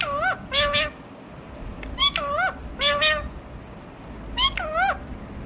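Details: Alexandrine parakeet talking, producing four bursts of loud, bending nasal syllables, often paired, spaced irregularly about a second apart, in a quiet room.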